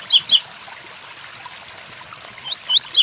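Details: Tui Tuí Fibra style song of a double-collared seedeater with rain in the background: a pair of falling buzzy notes, a pause of steady rainfall, then two rising whistles starting the next phrase.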